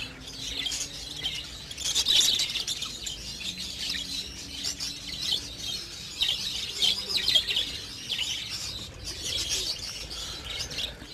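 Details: During breeding season, a budgerigar colony keeps up continuous high twittering and warbling chatter from many birds, swelling and fading in waves, with a faint low hum underneath.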